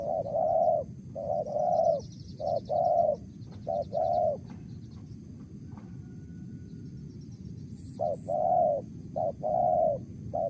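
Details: Wild spotted dove calling with a crisp 'mersik' voice: paired cooing phrases, a short note followed by a longer mellow coo, repeated in bursts about once a second, with a pause in the middle, over a steady low rumble and faint high chirps.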